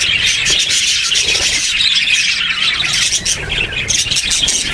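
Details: Parakeet chicks in the nest produce an unbroken, loud, grating chorus of high squawks and wheezy chirps, mixed with low rumbling noise underneath.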